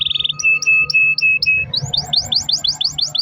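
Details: Canary long-roll song, used as a lure to make other canaries sing: a quick trill, spaced short high chips over a held tone, then a rapid series of rising sweeps.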